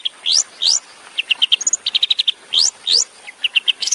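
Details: Long-tailed shrike tembakan-style song from a master recording for training songbirds: quick upswept whistles alternating with clusters of short, sharp high notes, varied and lively.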